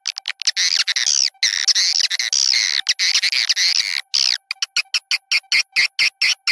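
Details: Swiftlet lure call made to attract swiftlets, mixed with a songbird background; dense, fast twittering chirps in long bursts, then breaking into short separate chirps repeated several times a second.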